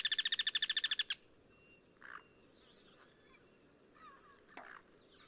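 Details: Guira cuckoo singing in the wild, cross-singing with others of its group in natural surroundings; a one-second burst of quick buzzy pulses opens, then quiet background with faint, scattered chirps from other birds.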